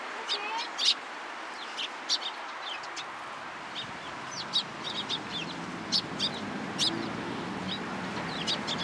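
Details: Sparrows in a cherry tree at a Tenmangu shrine, 24 March 2023. Scattered high chirps, single and paired, fall at uneven intervals, with a low humming background that rises partway through.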